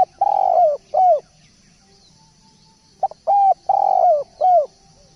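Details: Spotted dove in full song as a tutor recording: a long coo falling at the end and a short arched coo, then after a pause a similar phrase of four coos. Faint chirps and a soft high hiss run behind.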